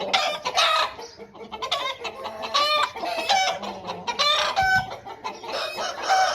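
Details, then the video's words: A dense chorus of home-bred Aseel birds. Short, harsh crows overlap one another with little pause, over a steady bed of clucks. "Aseel Birds Sound Effect"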